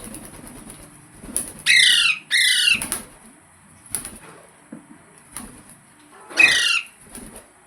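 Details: Green parrot giving harsh, noisy squawks with stacked harmonics, two close together near the start and one later, mixed with soft flapping and rustling sounds indoors.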